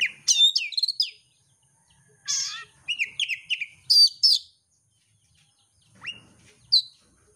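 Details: Oriental magpie-robin song used as a lure for a competition bird: short bursts of bright whistles and scratchy, buzzy notes, a falling slurred phrase, then a long pause before a few isolated high notes.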